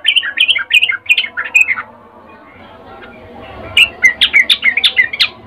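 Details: Sooty-headed bulbul female calling a male with a ngecuplik mating call: a rapid chattering run of warbled notes, a pause filled by faint hum, then a second burst of evenly paced chirps.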